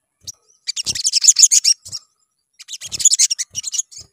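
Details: Sunbird song used as a lure to make birds sing: two dense bursts of fast, high, tinkling twittering notes separated by a short pause.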